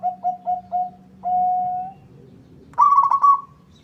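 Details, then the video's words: Local zebra dove in lively song, drawing a rival to reply: four short soft coos and a long held note, then a loud bubbling trill, with a low hum in the background. "Suara perkutut lokal gacor bikin nyaut lawan"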